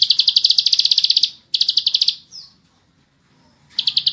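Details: Bar-winged prinia song, offered as a tutor recording for caged birds: rapid trains of sharp, high chirps, about four per second, in two bursts split by a brief gap and a short slurred note, then a pause before a final burst.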